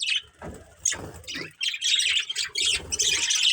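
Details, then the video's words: Budgies of a breeding pair give scattered short chirps at first, then build into continuous scratchy chattering, with soft thuds and rustling below. "Cute Budgies Chirping Sounds | Love Birds Breeding Pair"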